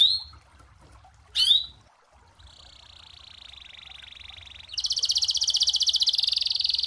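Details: Singing canary, its song offered as a model for training other birds: two short chirps, then a steady whistled note that breaks into a loud, fast trill.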